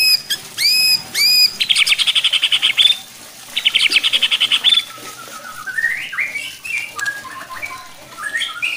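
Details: A White-rumped shama sings to provoke other shamas. Three loud, arched whistles lead into two long rapid chattering trills, then quieter rising warbled notes over light background noise.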